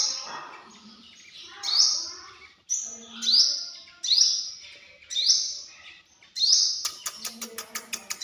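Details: Sunbird calling with five sharp, high rising notes at irregular gaps, followed by a quick run of dry ticking clicks at the end.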